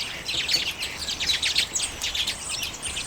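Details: Common redpolls at sunflower seeds, late January 2022, recorded on a Canon EOS M50: quick, high, buzzy chirps tumbling over one another in an unbroken twitter.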